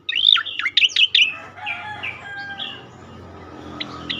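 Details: Striated grassbird (cicakoreng) in the 'tembakan' style, used as a master recording to train and provoke other birds: a burst of sharp, rapid chirps and downslurred notes in the first 1.3 seconds, then fainter trailing whistles and quiet background.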